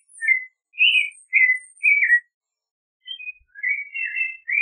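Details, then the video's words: Whistled song of a clay-colored thrush, a few bright rising and falling phrases, a pause of nearly a second, then a softer, longer warbled passage. "Clay-colored Thrush Singing! Clay-colored Thrush Calling! Sound! - Zorzal Pardo Canto - Turdus Grayi"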